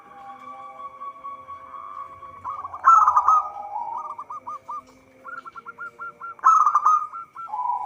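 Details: Local zebra dove (perkutut lokal) singing vigorously, a recording meant as a lure for trapping; strings of quick hooked coos near one pitch, interrupted by louder rolling trilled bursts twice, with a steady faint high hum throughout.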